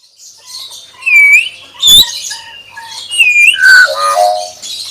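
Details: Pet common hill myna singing: loud clear whistles sliding down then up, harsh raspy squawks, and a short noisy burst near the middle, with quiet pauses between phrases.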